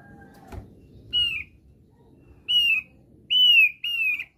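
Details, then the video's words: Lure recording of a thick-billed heleia: after a low background rumble, four loud whistled notes, each bending downward, come at uneven gaps, the last two close together. "PANCINGAN AMPUH BURUNG OPIYOR PARUH TEBAL"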